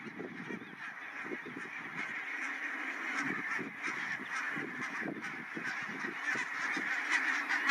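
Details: Barnacle geese on migration stopover, Matsalu National Park meadows, Estonia: many birds giving short honking yaps in rapid, irregular bursts, about two or three per second, over a constant murmur of the wider flock.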